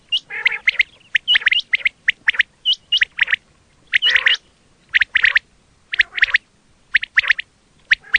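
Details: Quail sound used as a hunting call (batair): rapid series of sharp, high, upswept whistled notes, often paired, with a few rougher buzzy notes between short gaps.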